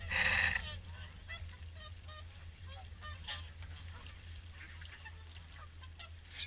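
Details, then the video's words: At Caerlaverock's evening swan feed, a loud blast of wind opens, then many swans give soft nasal honks and trumpeting calls in an uneven, overlapping chatter. "Evening Swan Feed"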